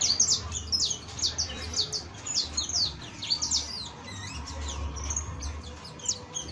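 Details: Professional song of a saffron finch, locally canario basto: busy, slightly buzzy cascades of high descending notes in tight clusters, thinning toward the end; background hum.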